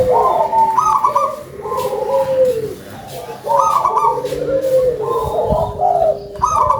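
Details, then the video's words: Loud local zebra dove in steady song, repeating phrases of clipped coos and soft rolling trills with short pauses between them, faint knocks behind. "GACOR!!! PERKUTUT LOKAL SUARA BESAR"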